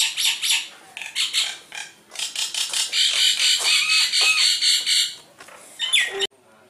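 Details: Javan myna, caught with a net and said to be in full song, pours out loud, scratchy chattering notes in a steady stream, ending with a short falling whistle.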